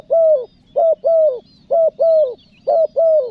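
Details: Luring call of a spotted dove, pesom manggil with nekan nguku: three clear pairs of low, hollow coos, each pair a short note then a longer slightly falling one, evenly spaced, faint distant chirping.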